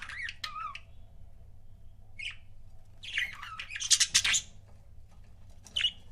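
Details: Pet budgerigars, a couple, chirping: several short, sharp chirps, then a busier stretch of raspy, warbled chatter and squawks, ending with one lone chirp over a low hum.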